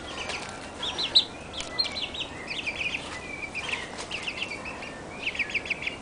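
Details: One-month-old Barred Plymouth Rock chicks peeping in a flock, short high chirps in quick downward-slurred bursts, scattered and overlapping, with a faint hiss in the background.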